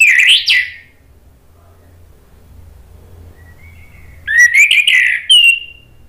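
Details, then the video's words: Anis merah, the orange-headed thrush, in energetic gacor ngeplong song meant to provoke a silent bird to reply: a loud rising whistled phrase, a long pause, then a bright run of warbled notes ending in a drawn-out whistle. "SUARA ANIS MERAH GACOR memancing EMOSI jadi NYAUT BUNYI ikut NGEPLONG"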